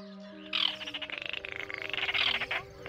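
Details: Baillon's crake at night, calling a dry, rapid rattling trill that pulses for about two seconds and swells and fades, with steady low hums from insects or frogs underneath.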